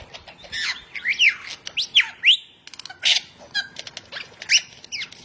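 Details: Lyrebird, a forest bird of Australia, sings a rapid medley of sharp whistled sweeps, rising and falling slurs and dry clicks, delivered in loud bursts with brief pauses.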